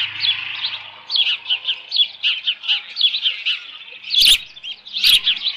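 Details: Osprey on the nest, 13 June 2018, late morning, with leftover fish; steady string of thin, high chirps about one per second, then two sharp knocks near the end.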